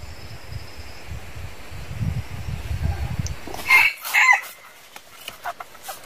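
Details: A red junglefowl from a forest-raised flock of over 100 birds bred from two wild jungle chickens gives a brief, harsh, clipped crow after a stretch of low rumbling background noise, followed by a few faint clucks.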